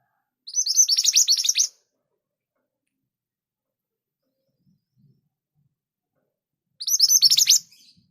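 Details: Scarlet minivet (mantenan gunung) repeating a rapid burst of high, sharp notes twice, about six seconds apart, with a few faint low knocks in between.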